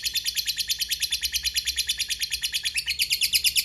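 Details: Lovebird giving a long ngekek trill, used as a lure to make other lovebirds answer; a fast, even stream of harsh, buzzy chattering notes runs without a break for the whole stretch.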